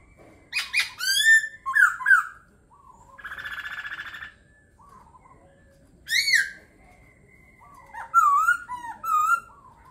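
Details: Laughingthrush giving rich whistled phrases of varied, looping notes in separated bursts, with a buzzy, rasping sound in between and soft lower warbles scattered through.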